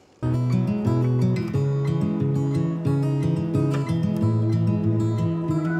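Strummed acoustic guitar music plays steadily throughout, with no animal calls heard.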